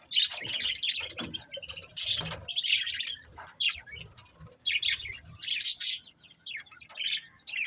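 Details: Budgerigars chirping: bursts of busy, scratchy warbling chatter high in pitch, broken by short pauses, with several birds overlapping and low rumbling thumps in the background.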